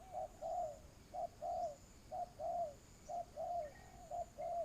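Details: Spotted dove calling during a ground decoy trapping session: soft, low hollow coos in pairs, a short note followed by a longer falling one, repeated about once a second, with a faint high hiss behind.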